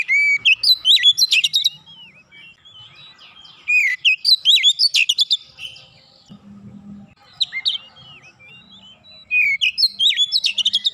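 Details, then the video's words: Kacer, or Oriental magpie-robin, giving 'nembak rapat' song to encourage young birds: repeated two-second bursts of slurred whistles and quick stuttering clicks, with calm gaps and a faint low murmur. "terapi Kacer bahan cepat gacor nembak rapat"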